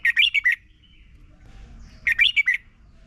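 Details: Red-whiskered bulbul song played for young birds to learn from: two short bursts of four or five quick, clear whistled notes, rising then falling, about 1.5 seconds apart, over a quiet low hum.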